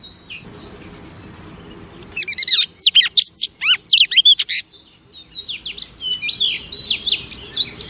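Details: Female oriental magpie-robin song used to excite male birds: a quiet opening, then a loud burst of varied slurred and chirped notes, followed by softer rambling warbles.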